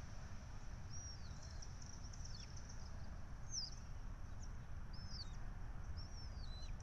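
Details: At a Syracuse University red-tailed hawk nest during feeding time on 12 May 2024, a nest camera picks up short, high, thin calls with curved, drooping notes spaced about a second apart over constant low background hum.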